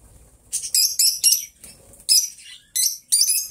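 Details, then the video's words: Two pet lovebirds, companions kept together, singing and talking: a run of high, squeaky chirps and chattering notes in quick clusters, with short breaks between bursts and faint low background rumble. "Lovebird Sounds Best Friends - Mango and Chutney - Singing and Talking Sounds"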